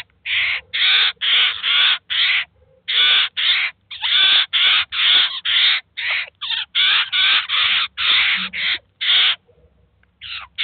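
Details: Eurasian jay and chicks feeding at a cheese feeder, filmed in 2019: near-continuous harsh, scraping screeches tumbling out at over two per second, loud and coarse, with only short breaks between them.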